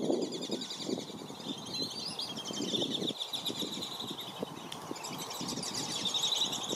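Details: At Circle B Bar Reserve, Florida, dozens of black-bellied whistling ducks press toward a family as parents nip at intruders; repeated wavering whistles from many birds run throughout over constant splashing.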